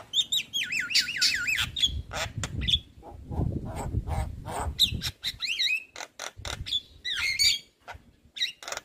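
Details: Javan myna of the white-eyed form, lure recording for prompting mynas to sing: rippling warbled whistles, sharp clicks and harsh chatter in quick succession, with a low rumbling background between phrases.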